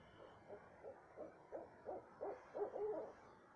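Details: Night owl calls recorded around 2:30 am in south central Texas, a run of brief low hoots spaced about a third of a second apart, growing louder and ending in a slightly drawn-out note.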